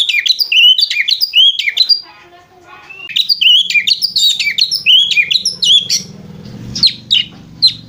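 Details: Lovebird-like chattering from a white-rumped shama, bursts of rapid high whistled notes broken by a pause, with a low rumbling hum in the later part.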